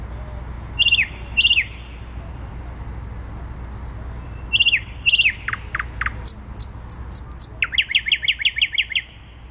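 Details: Thrush nightingale singing in central Warsaw, 12 May 2020: thin high whistles and paired falling notes, pauses, then a run of sharp descending clicks and a rapid stuttering series of loud repeated notes, over low city rumble.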